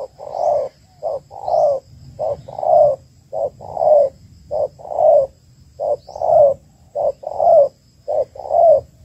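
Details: A female spotted dove calls to stimulate males, giving about eight steady paired phrases of a short coo and a longer, falling coo, roughly one pair every second. Faint high chirps sound in the background.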